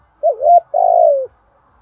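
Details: Spotted dove, male and female birds, cooing to call the flock and stir up other doves. Two low, mellow coo notes: a short wavering one, then a longer drawn-out coo that slides down at the end.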